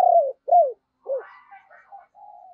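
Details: Spotted dove used as a decoy, calling to stimulate others to coo: two loud, smooth falling coos, a third lower coo, then softer rough purring notes trailing off.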